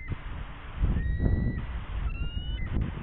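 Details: Female bald eagle sitting on eggs at West End on a March 2013 morning, agitated by a possible intruder nearby; two thin, high, slightly rising whistled notes a second apart against heavy low rumbling wind.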